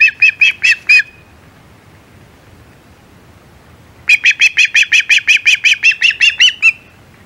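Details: Osprey calling at its Hog Island nest, 17 July 2020, as a shad is delivered. A burst of five piercing chirps gives way to three seconds of silence, then a longer run of about fifteen rapid whistles rising slightly at the end.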